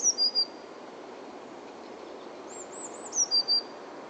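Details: Blue tit singing at Uppsala Botanic Garden, recorded on a hand-held camera. Two phrases of three thin, very high whistled notes, each dropping slightly, about three seconds apart over a steady background hiss, with a faint wavering high sound between.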